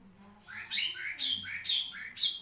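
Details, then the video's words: Long-tailed shrike, a caged songbird of the Marlboro type, gives a run of rising buzzy slurred phrases repeated about every half second. "REVIEW CENDET MARLBORO | BURUNG SI RAJA DURASI"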